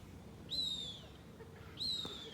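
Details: Falcon calling near a nest in a neighbourhood during the local mating season, a mating call: two high, drawn-out whistled screams, each slightly falling in pitch, about one and a half seconds apart, over faint background hum.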